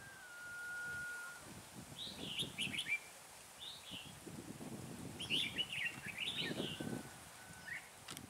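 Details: Red-whiskered bulbul acting as a trapping lure in cold wind at 12 to 15 degrees; rich rapid warbling phrases in clusters, a thin steady whistle at the start, and rustling wind noise.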